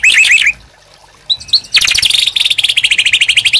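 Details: Gacor white-rumped shama as master song for captive birds: a short high chattering phrase, a pause, then a long, very high, rapid buzzy trill of repeated notes.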